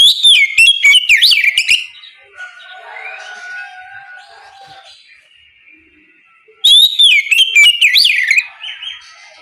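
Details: Oriental magpie-robin singing ngeplong in the morning to draw replies from other magpie-robins; two loud bursts of piercing, fast-swept whistles separated by a few seconds of faint, quiet warbling.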